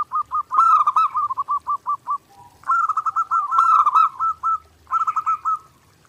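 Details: Zebra dove in steady, nonstop song, recorded as a clear master for daily training: evenly spaced staccato coos in quick runs, then a rolling trilled phrase, repeated twice with brief pauses.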